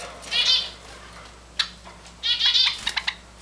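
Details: Tame grey and white Java finches, hand-fed: a buzzy, slightly drawn-out chirp, then a second longer chirp after a pause, followed by a few sharp clicks.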